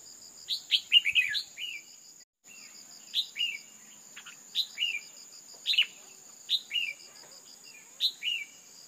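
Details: Female red-whiskered bulbul calling to stimulate males. A fast run of chirps opens, then regular paired notes, a sharp high chirp and a lower slurred note, repeat about every 1.2 seconds, with a brief silence and a steady high tone.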